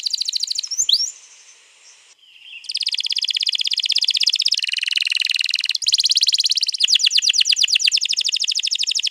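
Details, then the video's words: Canary song used to prompt another canary to sing, a long rolling style, recorded 21 April 2022: fast buzzy trills and rolls repeated in long unbroken runs, with a short pause after a few opening notes. "pancing burung kenari jadi ikut bunyi GACOR Ngerol Panjang"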